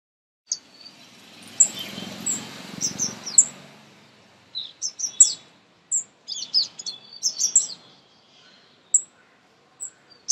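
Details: Baby birds being fed at close range give high, thin chirps and squeaks in scattered bursts, preceded by a soft rustling noise in the first few seconds.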